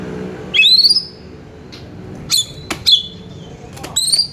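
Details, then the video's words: Oriental magpie-robin song played to call other magpie-robins: a few separate high whistled phrases, each a quick upward sweep settling into a steady note, spaced by pauses of about a second and a half, with faint low hum. "100% AMPUH PANGGIL KACER GACOR BUNYI MEWAH"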